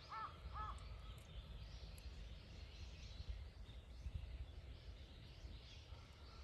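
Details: Crow recorded on 12 November 2024: two short, hoarse, harmonic calls in quick succession at the start, then a faint drawn-out call near the end, over steady low rumbling background noise and faint high chirps.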